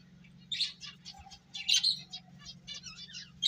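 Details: Feeding, playful finches utter a run of quick, high, stuttering chirps of varying loudness, one louder burst midway and another at the end, over a low background hum.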